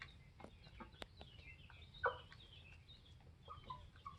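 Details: Polish layer hens aged 21 weeks, flock guarded by a protective rooster. Faint ticks and murmurs, then one sharp loud cluck at the midpoint, followed by a few short whistled peeps toward the end over low noise.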